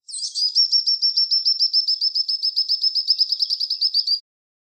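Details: Burnt-necked eremomela (Eremomela usticollis), a southern African bird, giving a thin, very high trill of about seven even notes a second, lasting four seconds, with no other sounds.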